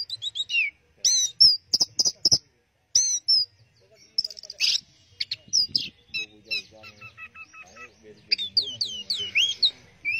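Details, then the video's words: Teler-style song of an Orange-headed thrush: loud high chirps and whistled slurs, then softer stuttering notes and looping, rising-and-falling whistles near the end. "Burung Anis Merah Teler"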